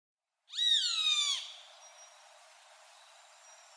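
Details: Roadside hawk giving a single harsh, drawn-out scream of about one second that slides downward at the end, followed by faint background hiss and a thin high tone.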